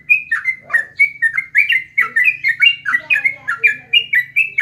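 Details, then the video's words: Sooty-headed bulbul in full voice, a brisk sequence of sharp whistled slurs, some notes doubled, repeated steadily, with a faint low hum and a few soft extra tones. "jogjog yahud trucuk trocok"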